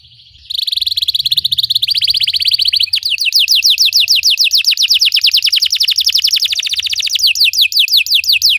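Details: Belgian canary song meant to make caged canaries sing: a buzzy churring opening, then a long rapid trill of repeated down-slurred whistles, varying in speed.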